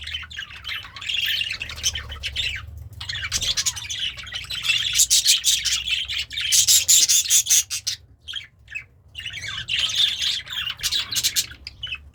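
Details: Pet budgie in a happy mood while feeding on greens, singing in bursts: long runs of fast chattering, clicking and squeaky warbles separated by short silences, with the loudest, densest stretch near the middle.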